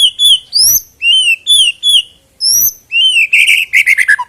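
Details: White-rumped shama, sound used to make birds sing quickly before a contest; clear rising whistled notes repeated about twice a second, ending in a quick descending run of richer phrases.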